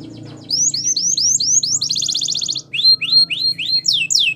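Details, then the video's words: Belgian canary song for training: after a soft start, a row of rising-falling whistles, a brief dense trill, then loud, spaced, ringing downward sweeps, over a low humming background. "Belgian Canary Singing Training !! Canary Bird Sounds"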